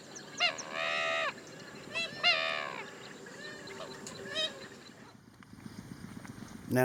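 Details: A Grey-headed Swamphen in rice fields and marshland in Prachuap, Thailand, gives loud, nasal, drawn-out calls like a party blower, twice, with short squeaky notes between and a faint background hum.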